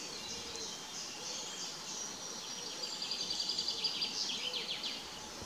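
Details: Young Great Spotted Woodpeckers calling from the nest-hole entrance a few days before fledging, giving a fast run of high, thin chirps, about three or four each second, over a steady hiss.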